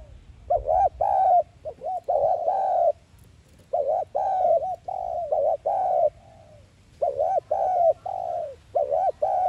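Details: Spotted dove lure call in the 'thúc gù' manner, meant to stir wild doves for trapping. Steady runs of deep, hooked coos come in grouped phrases, with a brief break midway.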